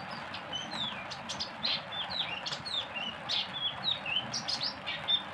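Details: Oriental white-eye 'tembakan', a sharp rapid song style: quick high slurred whistles and bursts of twittering, growing louder toward the end, over steady low hiss.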